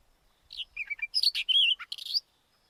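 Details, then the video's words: White-tailed wheatear with a fast warbled phrase of roughly 1.7 seconds, clear whistles alternating with dry rasping notes, including a sustained level whistle near the middle. "Голоса птиц: белохвостая каменка"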